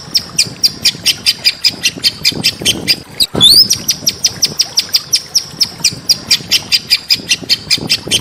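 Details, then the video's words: Small-bird training recording meant to make a murai batu (white-rumped shama) sing: dense, rapid, sharp high chirps about four per second, with one rising, upslurred whistle partway through. "masteran burung kecil agar murai batu gacor"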